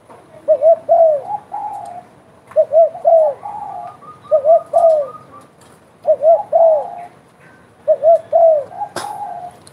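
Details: A spotted dove calls energetically, giving five deep coo phrases of two short notes and a longer falling note roughly every two seconds. Quieter trailing coos follow several phrases, and a sharp knock is heard near the end.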